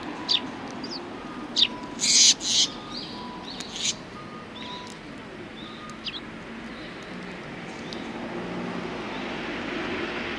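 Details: Eurasian tree sparrows resting after feeding on 26 January 2020, giving a few scattered high, downward-sliding chirps in the first four seconds, one louder burst of chirping near the middle, then mostly faint background hiss.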